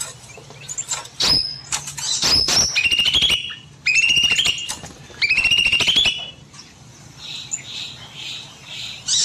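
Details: Small bulbul singing long and persistently in an aviary on an evening. Fast rattling trills of sharp repeated notes, some sliding down in pitch, come in bursts of a second or two, with faint chirps of other birds between.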